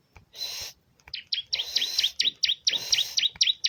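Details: Bar-winged prinia song: a fast run of high, sharp notes that each dip and flick back up, about two per second, following a short burst of hiss.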